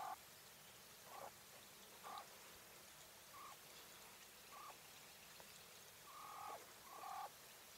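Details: English White Coturnix quail hen giving a series of brief, muffled mid-pitched call notes, irregularly spaced, some doubled, with constant low hiss behind.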